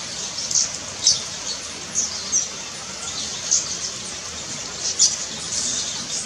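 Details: Brown violetear recorded at Finca Alejandría in Colombia: short, very high, sharp chip notes given singly or in pairs at irregular intervals of roughly a second, over a constant high background hiss.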